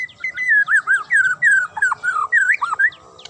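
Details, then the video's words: Sharp Magpie-robin song used to provoke other birds into answering: a fast, continuous run of loud, looping whistled phrases that bend up and down without a break for over three seconds. "DIJAMIN Langsung NYAUT dan NGAMUK Pake Suara TAJAM Murai ini"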